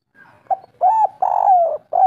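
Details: Short spotted dove song excerpt in the local kuk 3 style: a soft clipped note, an arched coo and a long descending coo, then the start of the next phrase.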